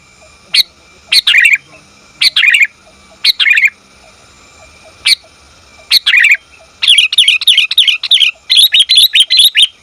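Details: Sooty-headed bulbul female calling for the male: scattered chirpy calls with uneven gaps, then a quickening run of rapid, bright chirps near the end.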